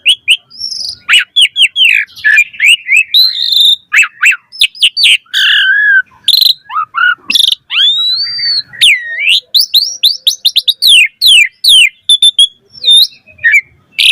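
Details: Long nonstop varied song of an Asian pied starling used to attract other starlings: dense rapid chirps, looping whistled slides, and harsh rasping notes tumbling together.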